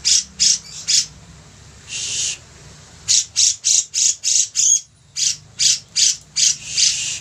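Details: Vigorously singing bearded bulbul, a recording meant as a tutor for training other birds: harsh, buzzy high bursts repeated about three times a second, broken by a few longer rasping notes.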